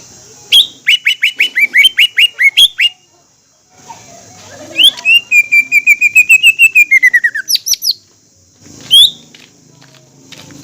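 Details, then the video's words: Green leafbird in full, lively song used to provoke other leafbirds: a quick series of identical whistled chips, a pause, then a long run of slurred warbling notes and a final high whistle. "PANCINGAN CUCAK IJO GACOR"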